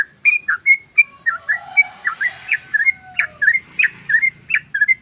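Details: Loud, clear 'ropel' song of a yellow-vented bulbul, used as a lure: a fast, unbroken run of bright whistled and bubbly notes, roughly three or four per second, alternating rising and dipping phrases, with a soft sliding whistle behind.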